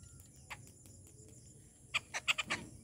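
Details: Wild rufous treepie visiting a home feeding spot in the morning: one short quiet note, then a burst of four loud, harsh, rasping notes in quick succession, over a low steady background hum.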